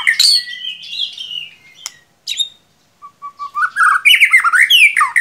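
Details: White-rumped shama song played as a lure to get a quiet young bird singing: loud, varied whistled phrases, sliding and rising notes, then a brief pause and a fast run of twisting, warbled notes.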